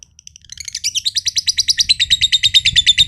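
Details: Long ngekek trill of a green josan lovebird, a prized contest bird from Mojokerto: a few spaced chirps that speed up into a dense, buzzy, rapidly pulsed chatter running on to the end.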